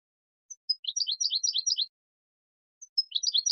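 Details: High, thin introductory whistles lead into a cascade of tumbling, liquid goldfinch chirps. After a pause the pattern starts again. Part of a recording for teaching goldfinch chicks.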